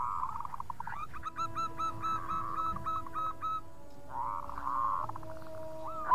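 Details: Local zebra dove calling, called bekur, in a fast answering style: a rapid train of soft, stuttering coos around one steady pitch, a pause, then another burst of quick notes ending in a rising whistle. A steady low hum runs underneath.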